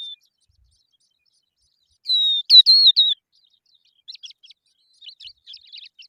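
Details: Young Eurasian skylarks in sunshine give a loud burst of high, slightly wavering whistled chirps lasting about a second, followed by softer, scattered short twittering notes.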